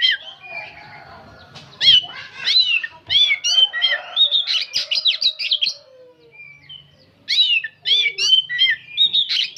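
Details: Oriental magpie-robin, an old bird singing without stopping, giving a rich run of loud whistled and chattering notes, some rising and falling, in two dense bursts with a short quieter pause between them.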